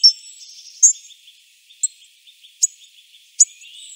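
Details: Hawfinch uttering several sharp, clipped ticks, roughly one per second, over a steady backdrop of high, thin twittering from other birds.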